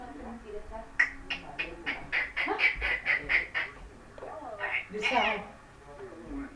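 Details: Pet parrot calling out a word over and over in a rapid series of sharp, high, shouted syllables, followed by a louder raspy screech and softer mumbled sounds.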